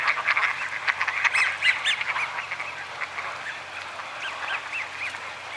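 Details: American wigeon at Donggang Township, Taiwan, 30 November 2020, a rare winter visitor often found among Eurasian wigeon flocks; dense clicky chatter at first, then clearer separate arched whistles rising and falling about every half second.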